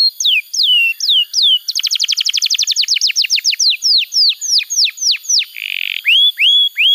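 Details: Canary song for schooling young canaries and restarting silent singers: slow falling whistled notes, a burst of rapid clicking trill, more spaced descending slurs, a short buzz, then rising whistles.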